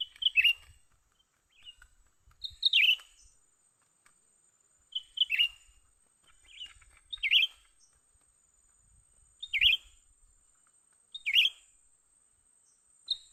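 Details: Call of a young cucak ranting bulbul while luring it in for trapping: sharp downslurred chirps repeated at uneven intervals of roughly two seconds, a thin constant high hum in the background.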